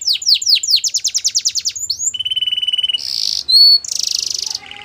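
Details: Canary training song in quick-changing tours: rapid descending chirps, a fast even rattle-like trill, a steady buzzy roll, a pure high whistle, then another dense buzzy trill ending on a lower note.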